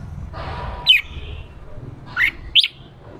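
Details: Red-whiskered bulbul, 'ché' style used to stimulate a male into fighting song: three piercing, slurred notes, one alone and then two close together, with a low background rumble.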